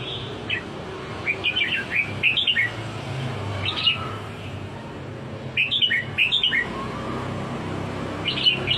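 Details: Red-whiskered bulbul repeating lively chirped and whistled phrases, several short bursts of rising and falling notes spread across the recording, over a faint low rumble.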